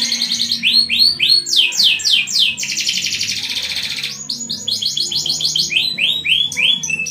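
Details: Long continuous 'gacor' canary song, said to set other canaries singing: quick series of upward-sweeping notes, a dense buzzy rolling trill lasting over a second, then renewed rapid repeated sweeps with a faint low background hum.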